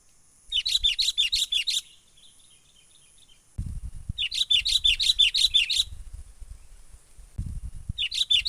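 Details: Wild sooty-headed bulbul lure call for trapping, menggaruda style: two bursts of rapid, bubbly chattering notes repeated about three per second, with soft low rumbling underneath.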